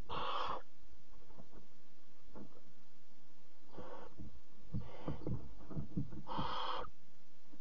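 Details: At a barn owl nest at 03:00 on 26 July 2017, where the mother brings a bird for the chick, harsh breathy hisses sound at the start and end, with quieter hisses and knocking, shuffling movement between them.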